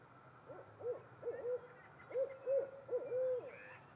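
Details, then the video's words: Female barred owl answering her mate with a series of hoots: low, arched notes near the same pitch, grouped in short bursts, the last drawn out and slightly sliding; faint background hiss. "Barred Owl answers her mate with hoots of her own."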